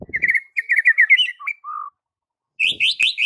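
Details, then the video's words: Training song from a white-rumped shama for silent birds: a rapid string of repeated whistled chips, a flat sustained whistle, silence, then loud rising buzzy notes, with a faint low rustle at the start. "Murai Batu BISU seketika langsung TERPIKAT dengan MASTERAN murai batu ini"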